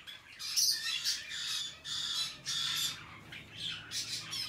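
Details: A hand-tame rosy-faced lovebird, recorded on 21 March 2020, gives harsh, shrill, raspy squawks in about five quick bursts, roughly one every second, in a quiet indoor setting.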